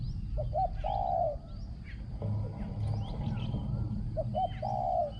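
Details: Spotted dove decoy bird with a small, ringing voice, cooing at a contest-style session outdoors: two low hollow coo phrases, each of short notes leading into a longer drawn-out coo, over rural background noise and faint distant birds.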